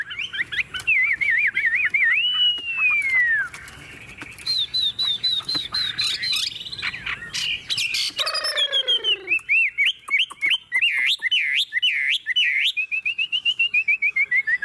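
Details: Chinese hwamei, tame and caged, sings a varied medley: trilled wavering whistles, a long sliding note, bursts of harsh chatter, then fast repeated bright notes building to a rippling warble.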